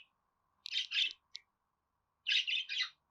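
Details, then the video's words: Budgerigar sound to encourage a pet budgie to sing: two clusters of rough, buzzy chirps with a brief click between, against near silence. "Muhabbet Kuşu Ötme Garantili Kuş Sesi,Muhabbet Kuşu Sesi"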